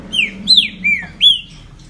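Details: Caged green-winged saltator (trinca-ferro) of the ligeirinho song style, singing for its owner in Brazil during the 2020 season: four loud clear whistled notes, each sliding downward, spaced about a third of a second apart, over faint low background hum.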